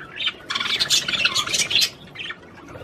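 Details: Budgerigar song meant to stimulate a female to mate: a dense, loud burst of scratchy, warbled chatter and squeaky notes lasting about a second and a half, then quieter chirps.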